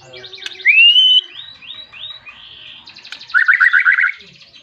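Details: Calling a rival, a white-rumped shama delivers rising whistled slurs in a quick series, then a loud burst of rapid chattering notes; clean recording with faint background.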